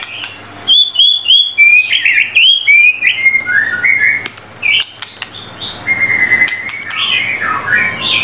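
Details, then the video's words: White-rumped shama tutor song from a 25-phrase set: fast repeated rising whistles, then a run of descending and wavering notes that end in a long steady whistle. "MURAI BATU GACOR FULL 25 MATERI MASTERAN MEWAH 100% MASTERAN MURAI BATU PALING AMPUH GACOR BANGET"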